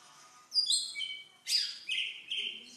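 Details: White-rumped shama song used to coax silent shamas into singing: a pause, then sharp high whistles sliding downward, and after a brief gap a loud sweeping burst followed by two shorter ringing phrases.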